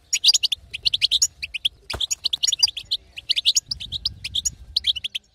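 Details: Batbata of a female European goldfinch, meant to excite a non-singing male: rapid, high chirruping notes in jerky bursts, one sharp click midway, otherwise clean.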